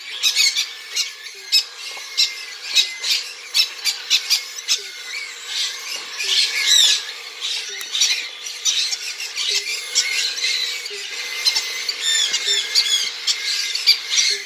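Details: Three-week-old cockatiel hatchlings give rapid, raspy, high-pitched begging squawks while being hand-fed.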